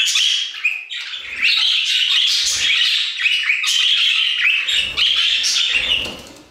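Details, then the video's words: A budgerigar chorus in an aviary gives continuous, bright chattering warbles with squeaky, buzzy notes. Occasional low thumps from the birds moving sound underneath. "Budgie Songs - 1 hour of Budgies singing in the Aviary"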